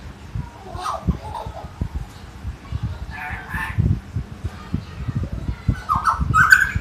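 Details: Common hill myna, known locally as beo or tiong emas, in full song at Jatiasih, Bekasi. Scattered whistled and buzzy notes; a bright, rising whistle near the end. Low thumping background noise throughout.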